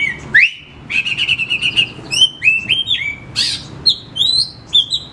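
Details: Oriental magpie-robin song played as a lure for lazy caged birds at home: rich, varied whistles, a sustained buzzy trill, then clear rising and falling phrases in quick succession.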